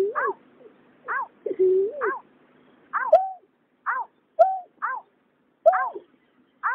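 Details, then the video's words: Water rail pair, male and female, recorded in 2021, giving repeated, downward-arched, harmonic notes and an occasional long, low whistle that swells upward. "Tiếng nhát hoa, cà cuốc trống mái"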